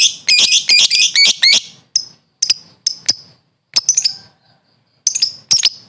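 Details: Lovebird, a training recording: bursts of shrill, metallic chirps in quick clusters broken by short pauses, with single sharp high notes in between.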